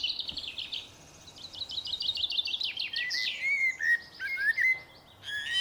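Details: Singing common blackbird: a rapid, high repeated trill from another bird opens, then rich whistled blackbird phrases sliding downward, answered by short fluty notes and a high squeak at the close.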